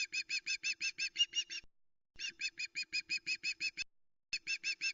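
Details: On a forest nest at Loch Arkaig, a female osprey calls loudly as her mate brings a live mackerel, 26 August 2020, nest camera: three bursts of rapid, piercing whistled yelps, about three per second, with brief silences between.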